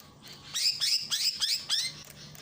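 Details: Greater green leafbird from Ujung Kulon in a masteran training recording with a water fountain, giving a series of about five sharp downward-sweeping whistled notes spaced roughly a third of a second apart.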